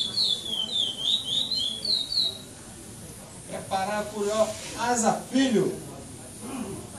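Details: Caged chestnut-bellied seed finch (curió) at a 2014 singing contest in São Domingos do Maranhão, Brazil, pardo song without repetition, second place. A short burst of high sweeping whistles for about two seconds, then people talking nearby.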